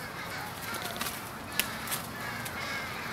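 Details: American crows caw at an evening pre-roost gathering in Charleston, Coles County, Illinois, USA, 16 January 2015. A dense background of overlapping hoarse calls, with one sharp louder note near the middle.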